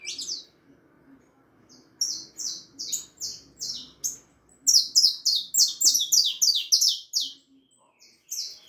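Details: High, ringing downslurred notes from a four-and-a-half-month-old harlequin saffron finch, starting sparse, then delivered in a rapid, dense rattling run before trailing off into a few final chirps.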